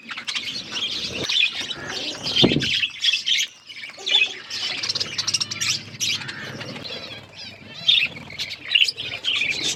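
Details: Flock of budgerigars eating food, probably in an aviary: continuous overlapping chirps and warbles rising and falling in loudness, with a low thump near two and a half seconds.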